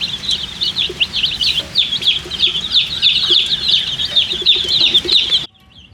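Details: Thirsty colour chicks chirping for drinking water, a rapid jumble of shrill, upslurred peeps from many birds that stops abruptly near the end, leaving near silence.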